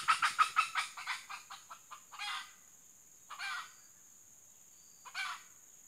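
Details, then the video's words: Female red junglefowl kept as a decoy for trapping, giving a quick run of sharp, rhythmic clucks that slow and fade, then three separate harsher, drawn-out squawks spaced about a second apart, over a steady high insect hiss. "Ayam Hutan Pikat Betina"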